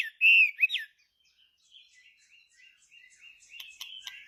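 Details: A Chinese hwamei singing. A loud, bright, bending whistle comes first, followed by softer short whistled notes strung together and a few sharp chips at the end.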